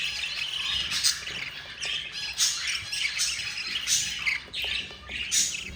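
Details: Begging from four budgie babies fed by their yellow mother: rhythmic harsh squawks pulsing roughly every second or so, each burst raspy and high, separated by quieter chattering.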